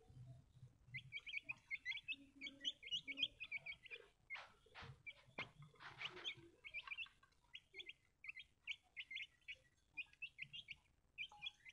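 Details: A group of baby chicks chirps continuously, with dense, high, short peeps overlapping throughout, broken by a few loud rustles and knocks near the middle, over a faint low hum.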